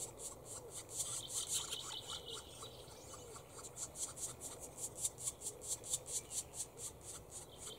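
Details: Black woodpeckers with their young, 5 June 2019, Grycksbo, Dalarna, Sweden: a fast series of high, harsh, scratchy notes, about two per second, over a low steady background hum.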